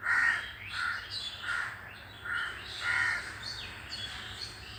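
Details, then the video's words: Crows cawing, harsh broad calls repeated about every 0.7 seconds in a short series, with faint high chirps of smaller birds in the background. "The crows are making a sound and the birds are silent on hearing the crows."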